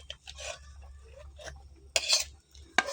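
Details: Kitchen sounds of stirring and scraping utensils against a pot, with no animal voice. A low steady hum runs underneath.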